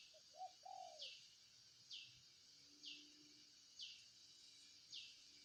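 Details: Spotted dove, a brief cooing phrase of a short note then a longer, slightly descending hollow coo. After it, high downward-sliding chirps repeat about once a second over quiet background hiss.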